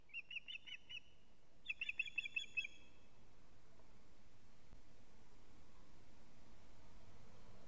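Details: Alarm calls of an osprey at a nest in Latvia, 19 July 2017 at 19:43, when the male arrives with a living fish: two short runs of clear high whistles over nearly three seconds, then steady low background noise.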